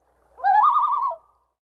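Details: Common loon in Minnesota giving a tremolo, a distress call that may mean people are too close: a brief quavering, laugh-like call wavering rapidly at mid pitch for under a second, with nothing else heard.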